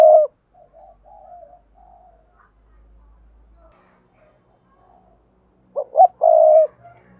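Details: Spotted dove cooing as a training call for newly caught doves: a loud opening note, soft low murmuring coos, faint rumble, then a strong phrase of two short notes and a longer held coo.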